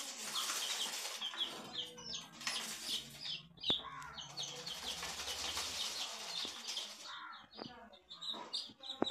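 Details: Coloured baby chicks cheeping in quick high rising notes, partly masked by scuffling, fluttering and handling noise, with a few sharp clicks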